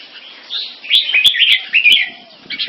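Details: Red-whiskered bulbul, caged crossbreed from a champion bloodline, singing during a competing display in Singapore. Fast, sweet, bubbling phrase of slurred whistles and chirps, punctuated by several sharp clicks.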